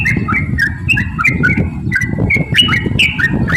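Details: Yellow-vented bulbul singing 'ropel' phrases used to provoke other bulbuls: liquid whistled notes in quick pairs and triplets, partly masked by a heavy low rumbling noise.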